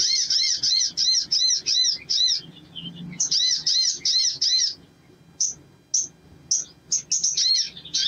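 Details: Energetic sogon song used as a lure to get other sogon birds singing: fast runs of identical arched, ringing high notes, about three per second, split by a short pause and then scattered single chirps.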